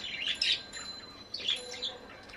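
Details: Budgerigar chattering in short high chirpy bursts, a scratchy warble around half a second and again near one and a half seconds, in a quiet setting.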